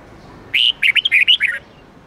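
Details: Red-whiskered bulbul song used daily to train caged bulbuls, 8-9-10 note twisting style: an opening held whistle, then a fast string of six bright, bubbling notes ending lower, clear and close.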